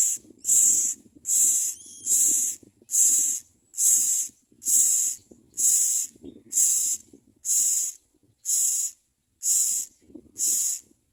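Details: Common myna nestlings screaming for their mother at the nest: loud, harsh, hissing wheezes repeated steadily, about one burst every second, twelve in a row, with soft rustling between them.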